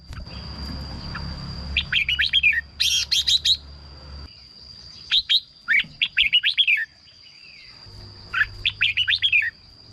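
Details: Red-whiskered bulbul song used as decoy playback or to excite other birds: three bursts of quick, bubbly, whistled notes rising and falling, each burst about a second long, separated by short pauses, with a faint steady high tone behind.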